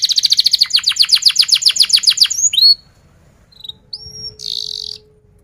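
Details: Loud canary song used as a training lure for young birds: a fast, rhythmic trill of about a dozen sharp repeated notes, then a single whistle and a short buzzy burst.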